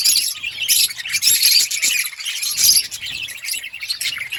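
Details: Budgerigars chirping in a steady, dense chatter of high, scratchy warbles and squeaky tweets that swell in bursts around the first and third seconds, with no gaps and no other clear sounds.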